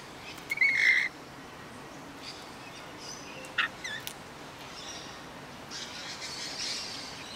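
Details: Australian rainbow lorikeets in a backyard: one harsh, grating screech lasting about half a second opens the passage, followed later by a few short shrill squeaks and faint distant chatter over a steady outdoor hiss.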